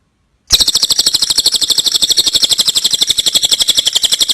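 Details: Tengek cililin kingfisher call recorded to tutor other birds: after a short silence, an abrupt, unbroken, very fast chatter of harsh, shrill pulses continues for nearly four seconds.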